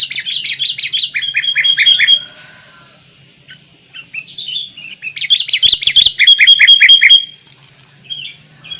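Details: Sooty-headed Bulbul (Pycnonotus aurigaster), Indonesia, giving two bursts of bright, bubbly chatter, each ending in a quick run of about five repeated notes, with a few quiet seconds between.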